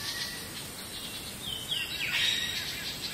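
Black bulbul giving a couple of thin, high, downslurred whistled notes over about a second, set against a steady hiss of outdoor background noise.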